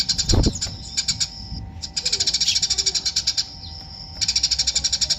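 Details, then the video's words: Eurasian tree sparrow chirping insistently in long runs of quick, sharp high notes with brief breaks, a thump near the start. "burung gereja natung"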